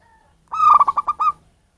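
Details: Zebra dove of local wild stock, its voice used to attract birds, giving one short phrase: a rolling burst of five or six quick, throaty coos ending on a slightly longer note.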